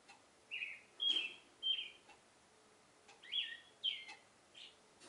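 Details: Oriental reed warbler in a cherry tree in the morning, giving a love song: a run of harsh, chattering, downslurred phrases in uneven bursts, about two per second, over a quiet background.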